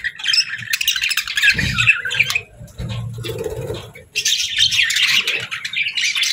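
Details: Pet budgies chirping: dense, scratchy warbling chatter fills the first two seconds, breaks off into a quieter pause with low thumps and handling noise, then bursts back as busy overlapping chirps for the last two seconds.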